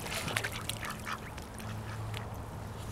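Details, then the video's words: Duck whose call is said to sound like a dog, giving short rough barking bursts, about three close together in the first second, then fainter ones, over a steady low hum. "Duck sounds like a dog"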